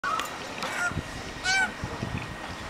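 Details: Unidentified birds in the Blue Mountains, Australia, among eucalyptus trees: short whistled and harsh calls, with a louder nasal note with ringing overtones near the middle and scattered low thumps.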